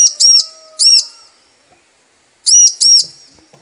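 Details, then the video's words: Female bar-winged prinia calling for the male: a double chirp and a single chirp, a quiet gap, then another high double. The notes are sharp and arched. A faint steady low whistle sounds behind the first notes. "Ciblek Betina Memanggil Jantan || Suara Pancingan Ciblek agar Gacor"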